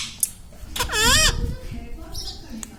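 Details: Pet Indian ringneck parakeet talking indoors, taught to say words like mummy, papa and radhe radhe; a single loud, harmonic, wavering syllable dips then rises near the middle, with faint room murmur and a short squeak before it.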